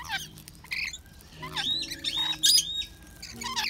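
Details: Talking rainbow lorikeet, a parrot said to imitate a robot and say hello in Chinese; here loud bursts of harsh, screechy squawks and shrill chirps with short whistled sliding notes, separated by brief pauses, over a faint low hum.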